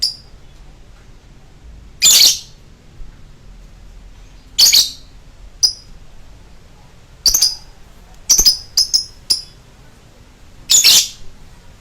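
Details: Lovebird giving its long choking style: short, harsh, shrill bursts at high pitch, each about a third of a second, spaced irregularly every one to three seconds, with quiet background between them.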